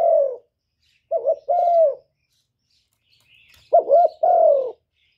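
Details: Decoy spotted dove calling to stir up other doves: a trailing falling coo, then two paired phrases of a wavering note plus a smooth coo, with a faint scratchy rustle between them.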